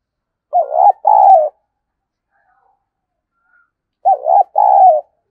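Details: Spotted dove decoy call, used to stimulate other doves: two phrases about three and a half seconds apart, each a pair of mellow, low, slightly wavering coos, the second longer and steady, in complete silence.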